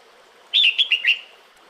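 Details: Female red-whiskered bulbul calling the male in the breeding season: one quick phrase of about five bright, whistled notes slurring up and down, lasting under a second, over a faint steady hiss.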